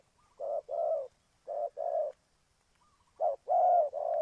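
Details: Soft, low coos from a spotted dove kept as a lure for trapping in Ninh Thuận, Vietnam: paired, muffled notes in three groups, the last group louder and drawn out, with faint thin chirps between them.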